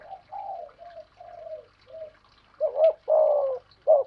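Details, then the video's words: Two spotted doves, a decoy and a wild bird, cooing in challenge: softer, more distant coos come first, then three loud, close, rough coo notes with a quick rising-falling shape. "cu gáy giọng thổ pha thúc GÙ đấu với bổi, tiếng gáy bổi nghe rất ghét và gáy theo hiệu quả"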